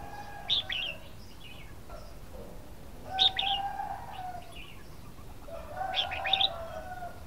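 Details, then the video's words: Red-whiskered bulbul song: three short, lively whistled phrases, warbling and chirpy, about every three seconds. A steady low cooing or humming tone runs beneath. "Chào mào hót"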